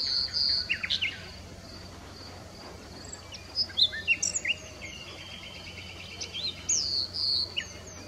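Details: Nightingale singing: a sustained high whistled note opens, followed by varied chirps, rising sweeps and short phrases in bursts, with a steady low hum underneath.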